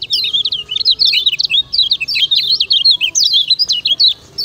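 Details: Lemon-bellied white-eye (kecial kuning) from Lombok, a master song for training other birds. A continuous, fast stream of high, zigzagging chirps runs with barely any pause and stops just before the end.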